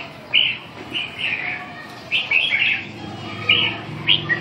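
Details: Red-whiskered bulbul giving clear, sharp chirped notes and short warbles, spaced about half a second to a second apart, against a quiet low background.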